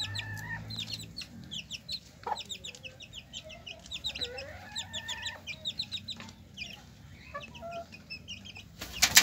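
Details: Hen and her chicks, the chicks cheeping continuously in short high descending notes while the hen gives soft, lower drawn-out clucks; a faint background hum runs underneath.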